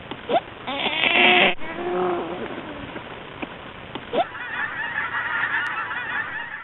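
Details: Migrating geese heading south for winter at Another Place: a burst of overlapping nasal honks fills the first two seconds, then scattered single honks over constant rushing hiss.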